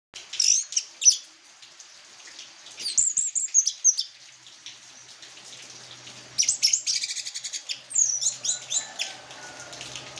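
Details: Orange-headed thrush singing in the teler style while swaying like a merry-go-round; high whistled and slurred phrases come in bursts separated by short pauses, with a faint low hum behind.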